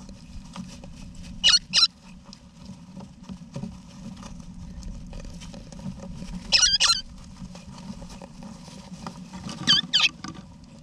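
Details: Eastern rosella family, mother, father and babies, inside a backyard nesting box in Australia in November 2018; three paired bursts of sharp, wavering chatter separated by quiet gaps, with faint scratching and a low hum beneath.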